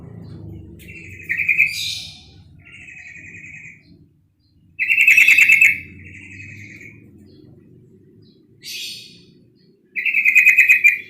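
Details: Female yellow-vented bulbul giving calls that provoke males: three loud, grating rattle bursts mixed with quick upward rasping sweeps and quieter buzzy chatter, over a faint low hum.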